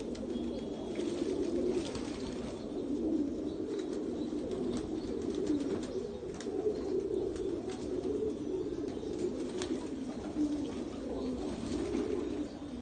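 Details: Many tumbler pigeons (Giribaj) at a pigeon farm coo together in a steady, overlapping low murmur.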